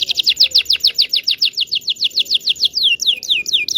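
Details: Local Indonesian canary singing to teach young birds: a long run of quick, sharp downslurred whistles at a fairly steady pace, slowing slightly toward the end.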